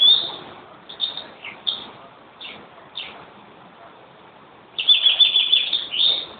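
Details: European greenfinch song: separate high chirped notes spaced about a second apart, then a fast, bright twittering burst of rapid trilled notes near the end.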